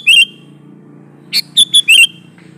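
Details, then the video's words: Sooty-headed bulbul in full natural-variation song, meant to draw bulbuls to answer: a slurred whistle fades out, then a new phrase follows with a harsh chirp, two clear whistles and a rising-falling warble, over a soft low hum. "Variasi Suara burung Kutilang Gacor Full isian Alam"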